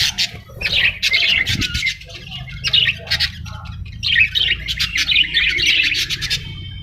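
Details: Parrot gives raspy squawks in clustered bursts with crackling pulses, pausing briefly between groups, and a soft low thump near the start.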